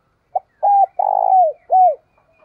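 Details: Single cooing phrase of a spotted dove, loud and clear in the 'thổ sấm' voice used for luring wild birds: a brief note, a flat coo, a long buzzy coo sliding down, then a short arching coo.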